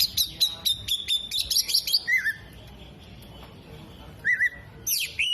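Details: Oriental magpie-robin singing hard with tail spread, loaded with mimicked 'kolibri', 'jenggot' and lovebird phrases: a quick run of high sharp chips, then after a quiet pause, short slurred whistles and a high buzzy burst.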